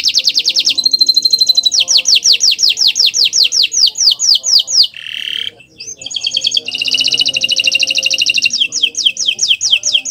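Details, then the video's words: A canary in full song, used as a tutor and to prompt other canaries, sings high, rapid trills of repeated notes in fast rolling bursts, pauses briefly, then resumes with a dense buzzy roll. "Masteran Burung Kenari untuk Pancingan"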